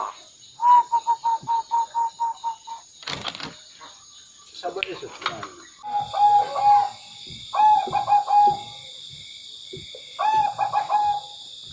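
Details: Zebra dove, a tame bird singing actively, gives series of soft cooing notes in rapid pulsed trills, then rolling coos repeated every two seconds, with loud clicks and a steady high electrical hum behind.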